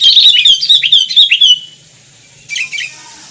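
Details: Indonesian kutilang, or sooty-headed bulbul, pouring out a fast bubbling warble of slurred notes for about a second and a half, then a short pause and a softer trailing phrase.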